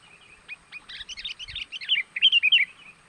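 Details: Sooty-headed bulbul calling, a lure for attracting wild birds. A quick stream of chattering chirps builds into louder, clear warbled notes over about three seconds.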